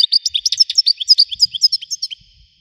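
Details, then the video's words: Widani goldfinch delivering a loud, continuous stream of rapid, high, jangling twitters and short slurred notes for about two seconds, with soft low rustles underneath. "حسون ويداني حصري صوت مزلزل"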